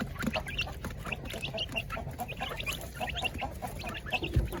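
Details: Many village chickens and egg-laying hens crowd a coop while being fed, giving rapid overlapping clucks and brief nasal squawks, with a steady low hum and a soft knock near the end.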